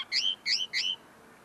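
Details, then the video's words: Tame linnet singing close up, still finishing clarifying its notes: three quick bright phrases, each a high buzzy note dropping into a sweet twang, then quiet. "pardillo cantando delante de mi"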